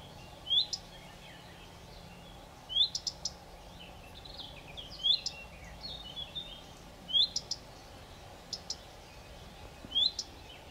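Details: Common redstart calling: a sharp rising whistle followed by a few dry ticking clicks, the phrase repeated about every two seconds over a steady low rural background hum.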